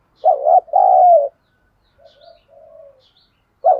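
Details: Spotted dove used as a lure bird, singing in the thổ style. One loud paired coo opens, then soft trailing coos, and a new phrase starts at the end.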